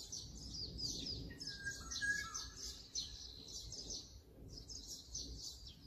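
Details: Brown-eared bulbul filmed with a Sony mirrorless camera and 200-600mm lens: dense, harsh, shrill chattering notes run almost without a break. A lower, thin whistled phrase sounds briefly in the middle, with a low background rumble.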